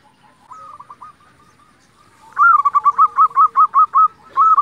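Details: Local zebra dove in steady song, played to excite other zebra doves and draw replies. A faint trilled phrase leads into a loud, long run of about nine evenly spaced clipped coos, repeated briskly.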